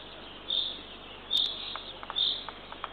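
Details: Nest camera in Northern Estonia, early morning of 3 June 2023: a female Eurasian eagle-owl feeds her third owlet. Three brief high hissing calls sound in quick succession, followed by a few soft clicks.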